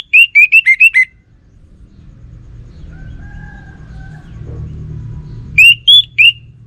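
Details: Caged orange-headed thrush singing nonstop: a quick run of about five clear, slurred whistles, a quiet stretch with low background rumble, then three more bright whistled notes.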